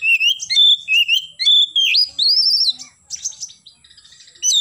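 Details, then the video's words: Morning song of an oriental magpie-robin in energetic 'gacor' form. Clear, sustained whistles alternate with slurred upward sweeps and a long arching note, ending in softer twittering, then a sharp whistle. "KACER GACOR pagi hari nembak"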